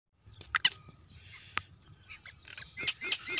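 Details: A black francolin gives harsh, grating, scratchy notes in short clustered bursts, building to a quick run of rasping calls at the end over faint low background rumble.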